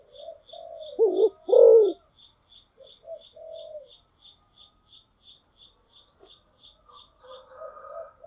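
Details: Spotted dove used as a decoy gives soft low notes and then two loud, deep coos, while a thin high chirp ticks steadily about twice a second throughout.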